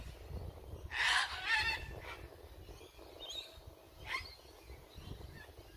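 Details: Sulphur-crested cockatoos (Cacatua galerita) give two loud, harsh, grating screeches in quick succession, then softer, scratchier calls trail off over a steady background hiss.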